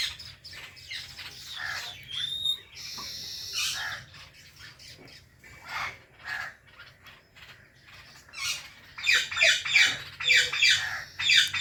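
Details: Domestic pair of ringneck parrots, Indian and blue: sparse chirps and harsh notes early, building to a rapid run of loud repeated chattering squawks near the end.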